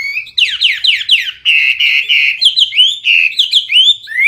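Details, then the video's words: Energetic Hwamei (wambi) delivering full isian song, loud and clear: a run of fast descending buzzy notes gives way to rich, sustained whistles and varied slurred phrases. "Hwamei/wambi gacor full isian suara keras jernih"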